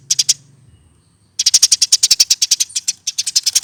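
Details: Hand-raised caged Eurasian tree sparrow, over one year old, kept as a pet. A short burst of high, sharp chirps, then a pause, then a long fast run of dry, clipped chirps at about ten per second.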